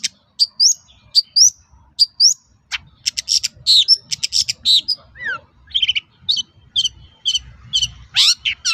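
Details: Varied long-tailed shrike song, a lure to get other shrikes answering: paired high whistles, then a jumble of harsh chatters, slurred descending notes and scratchy bursts in quick succession.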